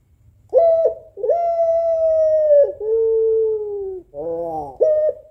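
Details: Female puter pelung, a long-voiced African collared dove, calling to a male: drawn-out steady tonal coos, each held one to one and a half seconds, with a short throaty rolling note near the end and a final brief coo.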